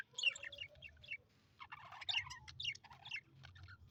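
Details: Colorful pet Australian budgies chattering softly: quick high chirps and warbled notes in two short bursts, with a low hum underneath.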